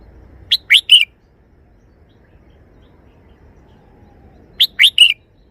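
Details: A red-whiskered bulbul repeats its three-syllable song twice, about four seconds apart; each phrase has three rapid whistled notes, the last drawn out and level, over faint low background noise.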